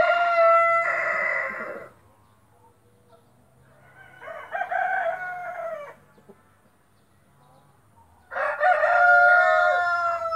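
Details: White splash Brahma rooster crowing: three drawn-out, harmonically rich crows, each one to two seconds long, separated by quieter gaps with a faint low hum in the background.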